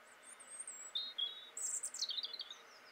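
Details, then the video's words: Male European robin singing: thin, high, sweet phrases, a long wavering whistle followed by lower warbled notes, then a quick tumbling cascade of sliding, twittering notes. The background is quiet. "European Robin song - call. (male)"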